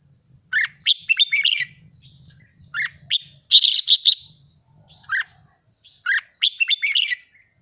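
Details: Red-whiskered bulbul kept as a cage bird, stimulated to sing fired up for contest singing; lively whistled and warbled phrases in bursts, with a strong buzzy trill near the middle and a faint low rumble underneath.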